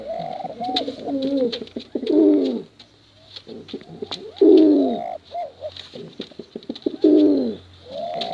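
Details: Male and female contest pigeons give repeated coo phrases, each opening with short rising notes and swelling into a deep burbling roll, about every two to three seconds.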